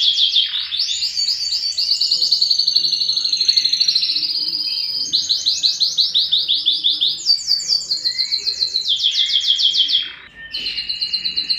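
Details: Yellow canary in extended song, changing from sweeping rapid trills to rolling chirped tours, with a short break near the end before the singing resumes.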